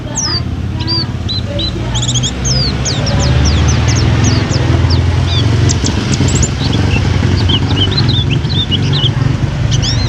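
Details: Mountain white-eye from a food stall, delivering bright high twittering whistles in scattered quick phrases over a heavy low rumble of engine-like noise.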